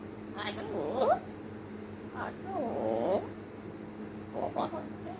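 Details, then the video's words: African grey parrot talking: three short speech-like utterances with wavering, rising and falling tones, spaced about a second apart, over a steady low hum. "African Grey Talking"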